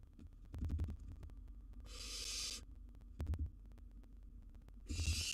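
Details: Owlet barn owl, wild, at its nest box tackling a big gerbil: a long rasping hiss in the middle, another starting at the end, with scattered bumps and taps between them.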